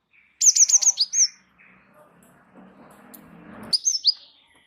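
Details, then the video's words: Lively Java sparrow, called gelatik wingko, in continuous rolling song meant to tutor and provoke other birds: a rapid run of about seven very high, bright chirps, softer warbling, then another quick cluster of ringing notes. "gelatik wingko gacor ngeroll pancing bunyi suara masteran burung gelatik"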